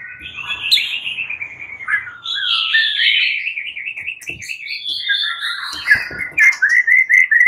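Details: White-rumped shama (murai batu) pours out a loud, varied song of rich whistles, rapid trills and sharp chips, shifting phrases every second or so, while nearly all the other fighter shamas join in answering, agitated.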